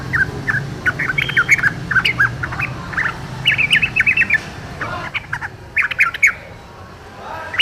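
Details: Lively chattering song from a wild yellow-vented bulbul: dense clusters of short chirps and slurred notes, broken by brief pauses, over low background rumble.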